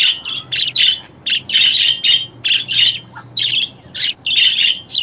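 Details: Budgerigar chatter: dense bursts of harsh, buzzy warbling and squawky notes, coming in quick runs separated by brief pauses, with no other sounds.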